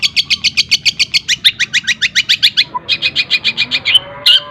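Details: Long-tailed shrike (cendet) singing a fast, tightly packed song filled with mimicked tengkek buto, greja and kunti calls: rapid bright chips repeated about three times a second, shifting into a steadier run of high notes, ending in harsher squeaks.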